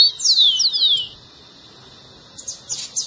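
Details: A brief rufous-collared sparrow phrase, played to prompt a pet bird to sing: three loud, sharply falling whistles within about a second, then near silence broken by a few faint high chips.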